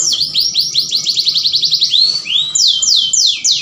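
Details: Canary mating song used to provoke other canaries: a long run of rapidly repeated falling sweeps, a couple of broader slurs, then four slower loud descending sweeps.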